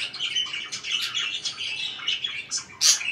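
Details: Indoor pet budgerigars chirping: a continuous run of rapid, scratchy warbled notes with brief whistled tones, ending in a sharp, louder high squawk.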